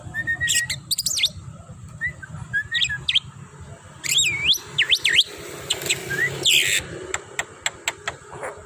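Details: Tame Javan myna singing along the road on a walk, giving scattered whistled notes, upward sweeps and sharp clicks over steady low road rumble.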